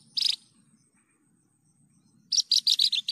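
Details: Javan bush lark singing energetically, a clear lure and tutor recording: one short bright buzzy note, a long pause, then a quick burst of six high chirping notes. A faint low hum sits underneath.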